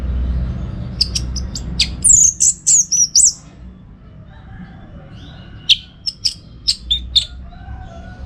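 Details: Orange-headed thrush heard on a training recording for contest birds: high clicking chips lead into a loud burst of very high slurred whistles, then after a pause a series of spaced sharp notes.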